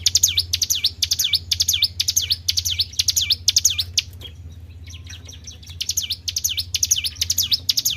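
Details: Tribel bird lure call: rapid high ticks and dipping-rising whistles repeat steadily, break off for about a second near the middle, then resume with the same brisk rhythm over a quiet low hum.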